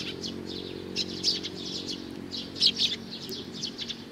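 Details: Young sparrow chirping in brief, high, clipped notes, scattered singly and in small clusters, the loudest pair near the end, with a low steady hum behind.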